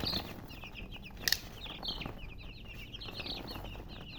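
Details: High thin chirps from a group of chicks come in rapid overlapping series, broken by a couple of sharp clicks early on, over soft background noise.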